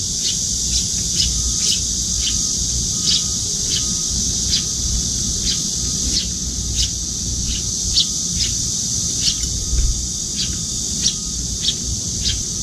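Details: Juvenile Eurasian tree sparrow that has followed its parent to a window-side feeding spot, begging for food with wing fluttering while the adult places food in its open beak; short high chirps repeated about twice a second over steady low rumble.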